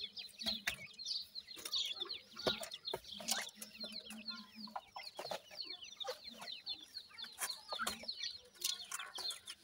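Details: Young dakhni teetar and desi teetar chicks at feeding time give a constant flock of high, falling peeps, with repeated hard clicks and taps among them.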